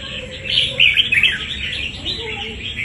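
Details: Brief, loud warbled burst of chirps from a wild-caught fighting red-whiskered bulbul, peaking in the middle, followed by softer twittering.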